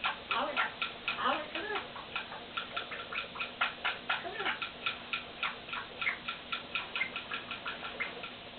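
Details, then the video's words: Pet Quaker parrot, male, near a mirror, making a quick run of dry clicks and ticks, with a few short, rising, voice-like chattering notes early on and a steady low hum underneath. "quaker parrot making silly noises at his mirror"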